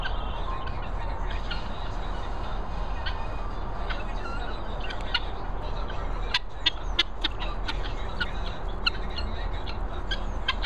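Hungry guinea fowl give a flurry of harsh, metallic chattering calls over a steady low rumble.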